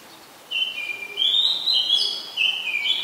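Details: An Oriental magpie-robin in Ubon Ratchathani, Thailand, on 20 September 2022 delivers a sequence of steady whistled notes that step up and down in pitch, with brief pauses between phrases.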